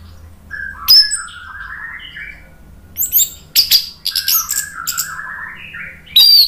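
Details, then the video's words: Orange-headed thrush song intended to provoke a reply: soft, low rambling warbles interspersed with sudden bursts of sharp high squeaks and chirps, louder toward the end. "PANCINGAN ANIS MERAH biar EMOSI jadi NYAUT BUNYI GACOR NGEPLONG"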